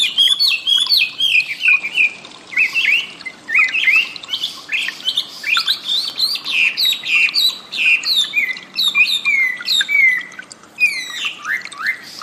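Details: Chinese Hwamei (wambi) song used to train cage birds: a dense, varied stream of sharp chirps, trills and descending whistles running almost without a break.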